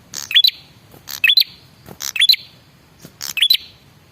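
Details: Lure call of a male red-headed prinia meant to make other birds reply: four quick phrases of crisp ticks ending in a high rising whistle, closely spaced.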